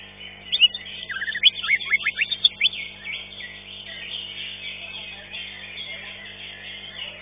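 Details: Fifth-place Green leafbird in a singing contest opens with a quick string of downslurred whistles and sharp high chips, then fades into a constant murmur of many other birds singing at the venue.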